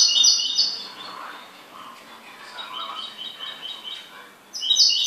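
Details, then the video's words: Domestic goldfinch opens with a loud, high buzzy trill, continues with softer chattering notes underneath, and finishes with another strong burst of rapid twittering. "MI JILGUERO"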